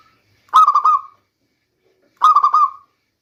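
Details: Local zebra dove song for luring in the rainy season: two identical phrases about 1.7 seconds apart, each a quick run of clipped notes ending in a short level whistle-like coo, clean silent background.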